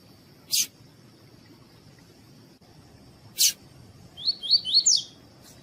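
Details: Female double-collared seedeater (coleiro tui-tui) calling, used to stimulate males: two sharp, high buzzy notes a few seconds apart, then a quick run of four rising chirps over a faint steady high whine.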